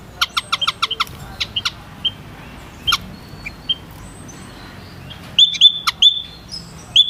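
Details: Rapid burst of clicks and peeps at the start, then sparse high notes, ending with louder, slightly longer piping calls from white-headed munia.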